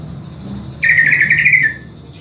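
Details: Greater green leafbird singing while being trained with master audio: a loud, dense burst of rapid warbled, slightly rising chattering notes lasting under a second, over a low background hum.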